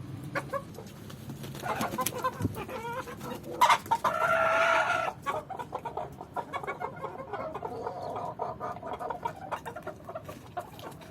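A Swedish Flower rooster gives one loud, hoarse crow of about a second, with soft clucking from other chickens before and after.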